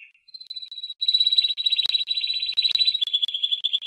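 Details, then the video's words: Timbrado canary singing a continuous high rolling trill, fast pulsed notes shifting slightly in pitch partway through, with faint clicks in the background. "Canto Canario Timbrado"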